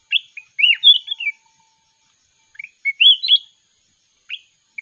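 A red-whiskered bulbul sings two bursts of bright, warbling, rising-and-falling whistled phrases about two seconds apart, with a short chirp at the end; otherwise quiet.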